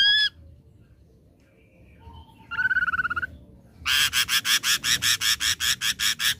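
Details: Ashy drongo lure song for provoking a response: a short whistle, soft faint notes, a quavering trilled whistle, then a long steady series of harsh buzzy rasps repeated several times a second.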